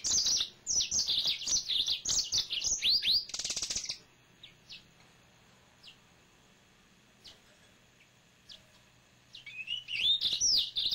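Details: A caged male yellow-fronted canary sings a long, high, rapid medley of twitters and down-slurred whistles for about four seconds, falls nearly silent with faint chips, then resumes with looping whistled notes.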